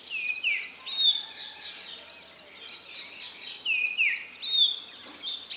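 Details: Common iora calls: loud falling whistles in pairs, repeated about every three seconds, over a busy background of faint high chirps and insect-like hiss.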